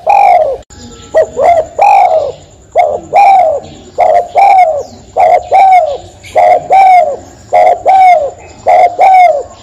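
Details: Spotted dove, locally called tekukur or dekukur, cooing loudly in rapid repeated phrases, each a short note followed by a longer falling coo, about fifty phrases a minute, with a faint steady high-pitched tone in the background.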